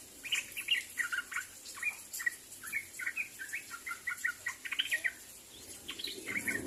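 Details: Sooty-headed bulbul calling to others of its kind: a busy stream of short, bubbly chirped notes, sometimes doubled or grouped, running through the whole clip over a faint hiss.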